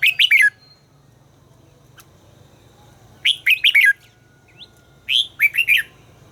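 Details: Red-whiskered bulbul in voice training, singing three brisk phrases of rolling whistled notes spaced a few seconds apart, with one lone thin upslurred note and a single click in between.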